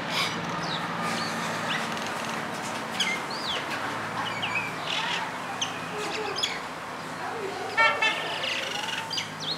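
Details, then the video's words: Common myna song recorded the same day: a jumbled run of sharp whistles, clicks and a harsh rattling burst, over low traffic hum and faint voices. "Common Myna (Acridotheres Tristis) sings"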